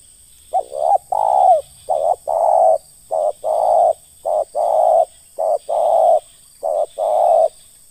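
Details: Ngeruk call of a spotted dove (terkukur) in a bird-luring session: six or seven two-part coos, a quick clipped note followed by a longer, level, husky coo, repeated at a steady pace over a faint high hum.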